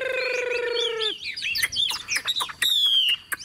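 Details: Caged Chinese Hwamei, tame and new to its owner, with yellow bill and legs, in heavy rain: a sustained low nasal note first, then quick warbles and a long, high, slightly falling whistle.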